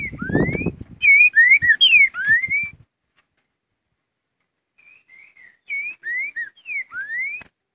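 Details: Trinca-ferro, the green-winged saltator, singing the "curricutil" song: a rapid string of clear whistled notes, some falling, some rising, after a low rumble at the start, then a silent pause and a second, softer run of whistles.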